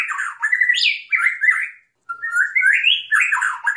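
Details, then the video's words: A white-rumped shama (murai batu) sings rich, varied phrases of slurred whistles and harsher chattering notes in two bursts separated by a brief pause. "Suara Burung Murai Batu"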